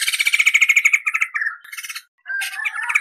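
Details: Tutor recording of a vocal white-crested laughingthrush giving long clear rolls: a fast even trill for about a second, then broken chattering phrases, a brief pause, and renewed rapid trilling.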